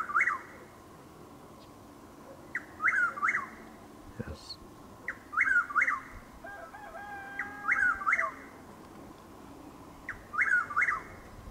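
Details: Repeated whistled phrases of a Chuck-will's-widow at dawn in Lake Placid, Florida, 12 April 2023, light rain falling: four full three-part calls roughly every two and a half seconds, with a faint second bird's steady whistle in between.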